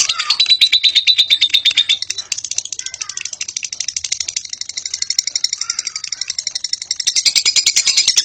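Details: Lovebird singing in ngekek style, a long unbroken chatter: rapid, dry, high-pitched pulses repeated about three times per second, with a thin whistled note near the start and buzzy rattling phrases throughout, continuing without pause for eight seconds.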